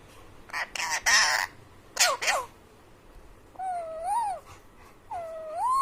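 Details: A male pet Alexandrine parakeet imitating animal sounds gives three harsh, raspy bursts, then two wavering, whiny whistles that rise and fall like a dog's whimper.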